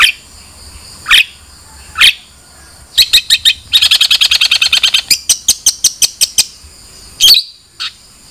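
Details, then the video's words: Long-tailed shrike song with scattered harsh notes, then a dense, rattling string of rapid chirps slowing into separate sharp ticks, closing with one loud rasping call. "Suara Burung Cendet"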